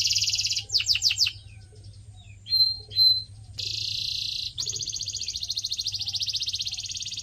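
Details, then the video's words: Canary song for training pet birds, with a buzzy roll, a few rapid falling notes, quiet whistles, then two long rattling trills making up most of the passage. "CANARY SINGING SOUND"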